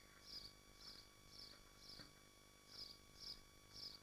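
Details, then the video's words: Nesting swifts at Machynlleth in the Dyfi Biosphere, picked up by a livestream nest camera. Short, high, buzzy bursts repeat roughly twice a second, with seven bursts over four seconds above a steady low hum. "Machynlleth Nesting Swifts Live Stream"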